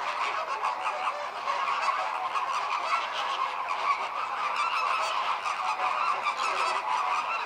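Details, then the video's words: Chorus of American flamingos during communal courtship, a display that synchronises breeding across the flock: many overlapping nasal honks and gabbling calls, thick and unbroken, with no pauses. "Gruppenbalz der Kubaflamingos"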